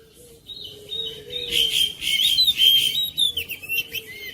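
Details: Oriental magpie-robin song used at home to spur a reluctant bird into singing: bright whistled phrases rising and falling, building into a dense, loud burst of varied notes, over a faint low steady hum.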